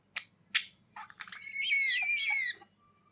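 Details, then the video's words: Budgerigar indoors: two sharp clicks, then a sustained, slightly wavering whistled warble lasting over a second before falling silent, a soft hum in the background. "Budgies Sounds for lonely birds to make them Glad"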